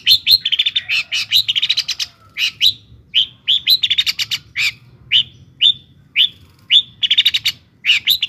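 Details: Long-tailed shrike singing to goad other shrikes into agitated song, a busy run of sharp chirps and rapid stuttering trills broken by short downslurred notes at uneven intervals.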